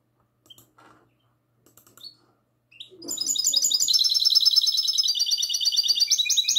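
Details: Goldfinch hybrid (mixto jilguero) in classic song, recorded at night on 22 March 2020; a few soft chips and rising whistles precede a loud, sustained, fast high trill of bright, twittering notes.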